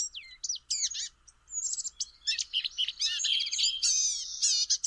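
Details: Blue-gray gnatcatcher (Polioptila caerulea) song at Dogwood Canyon wildlife preserve, Cedar Hill, Texas: a quick, thin, high jumble of squeaky, wheezy and whining notes, warbled almost without pause.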